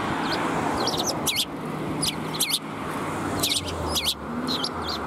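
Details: Several sparrows gathering for food along a shrine approach in March 2021, giving repeated bright, quick chirps in bursts against a continuous low roar of traffic.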